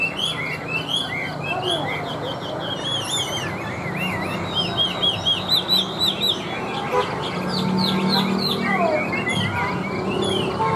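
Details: Tame caged Chinese hwamei singing while set on a table: a rich, varied run of loud whistled phrases with rising and falling slurred notes, quick trills and repeated motifs, over steady low background noise.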